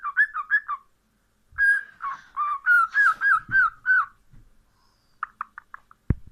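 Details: Cockatiel whistling a run of rapid wavering notes, a burst of short chirps, then a longer series of warbling whistles, ending with a few quick chirps and a sharp click.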